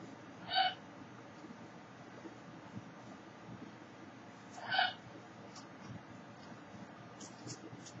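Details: A baby female lesser sulphur-crested cockatoo, while rubbing against her blanket, gives two short, hoarse squawks about four seconds apart over a low indoor background hum.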